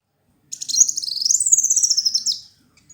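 A black sunbird gives a two-second burst of high, rapid twittering that sweeps upward and then slides down in thin, sharp notes.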